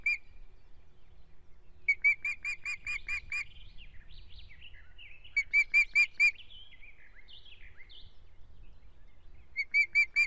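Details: Osprey at an Estonian nest on 17 June 2017, where one-week-old chicks struggle for dominance: bursts of loud, clipped whistled notes repeated in quick runs every few seconds, with thin high squeaky peeps sliding between the bursts.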